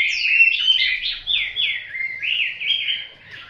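A Hwamei sings a rich, continuous stream of slurred, rising and falling whistled phrases, loud and varied, with no other sounds.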